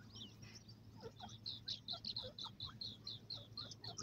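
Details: Partridge chicks, called Irani teetar, feeding and playing: quick series of high, sharp peeps, irregularly spaced, some louder and slurred, over a steady low hum.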